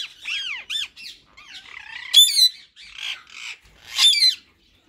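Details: Two pet rose-ringed parakeets, a white male and a green bird, in talking mode: harsh, rasping squawks mixed with warbling, chattering speech-like phrases, rising and falling sharply, with a few loud shrill peaks.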